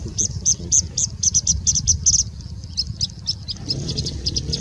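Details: Singing bush lark in India singing nonstop with mimicry of other birds including Indian Robin, Pied Bushchat, Plain Prinia and Common Woodshrike; long rapid series of high bright repeated notes, roughly four per second, fading slightly toward the end, over low rumble.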